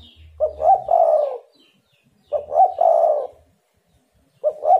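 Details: Spotted dove used as a lure to make other doves answer: three low, hollow cooing phrases, each a couple of short stuttered notes leading into a longer rolling coo, spaced about two seconds apart in otherwise quiet surroundings.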